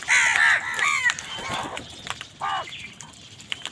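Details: Angry wild crows fighting other birds for food give harsh repeated caws, several loud strokes at first and another burst later, over a noisy outdoor background with clicks.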